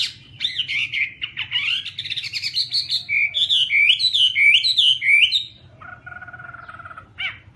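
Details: Melodious Chinese hwamei song: fluid whistled phrases, then a rhythmic chain of bouncing upslurred notes, closing with a lower, flat buzzy trill.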